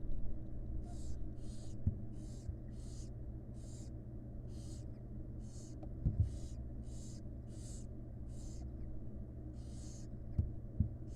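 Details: Wild barn owl chicks in a monitored nest box beg while their mother feeds them: a steady run of breathy, hissing snore bursts, about one per half second, over a constant low hum with a few soft knocks.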